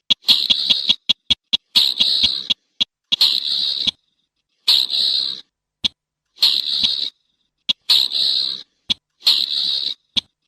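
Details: Slaty-breasted rail giving repeated harsh, rasping bursts about half a second to a second long. Single sharp clicks sit between them, with short silences. No other sounds are heard.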